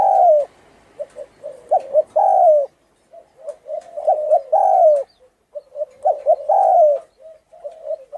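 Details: Spotted dove, Thai strain with a hoarse voice, giving its luring coo: repeated phrases of brief stuttered notes and long, loud, slightly descending coos, separated by short silences.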